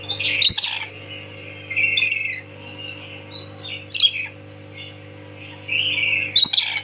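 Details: Tame lory (nuri) giving loud, shrill calls: repeated harsh squawking bursts every second or two, mixed with whistled notes, over a low constant hum.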